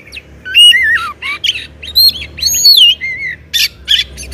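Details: Loud-singing Oriental magpie-robin (kacer), used to make other kacer sing; varied sweeping whistles rising and falling, separated by short gaps, with a few harsh bursts, steady low hum in background.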